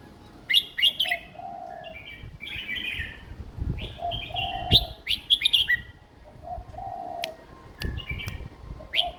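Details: Young caged red-whiskered bulbul giving an easy song style for young birds to learn: several lively phrases of sharp, chirpy whistles, interspersed with lower mellow drawn notes, over light background noise.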